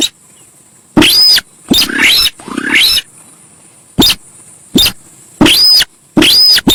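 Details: Raucous, noisy bursts from a Javan pied starling, used as a lure sound. The chattering screeches come in quick groups, some with rising squeals and a thin whistled arc, and there is a constant high hiss behind them.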